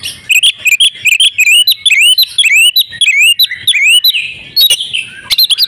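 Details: Female oriental magpie-robin in breeding condition, calling to prompt males into song: rapid, loud run of sharp chirps and upslurred whistled notes, many rising then dipping, with brief harsh bursts near the end.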